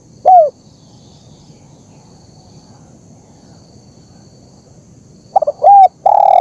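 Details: Spotted dove coos, recorded as a lure to draw wild doves into calling: a single short note, a long quiet gap, then a hurried phrase of quick clipped notes ending in a longer rolling coo, with a steady high insect hum behind.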